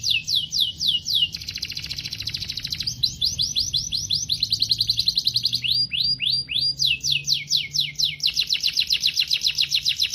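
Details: Canary song made of high, varied tours: fast descending sweeps, a buzzy rapid trill, slower upswept whistles and quick repeated notes, changing pattern every one to two seconds, bright and loud throughout over a quiet low hum.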